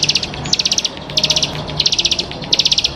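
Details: High, rapid clusters of five or six ticking notes from a champion Bar-winged prinia, packets repeated about every two-thirds of a second, steady low hum in the background.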